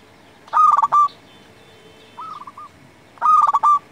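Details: Local zebra dove in full song, for luring and tutoring doves: two loud, overdriven, stuttering coo phrases nearly three seconds apart, with a short, quiet rolling coo between them.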